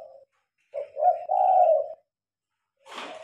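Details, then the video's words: Spotted dove singing at night with lights on, captured by phone: one long, soft, throaty cooing phrase, followed by a short broad rustling noise. "Terkukur manggung malam hari"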